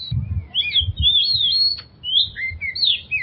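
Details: Oriental magpie-robin song played as a prompting sound for stressed birds: clear, slurred whistles that swoop up and down in short phrases, one brief sharp click midway, with soft low thumps underneath.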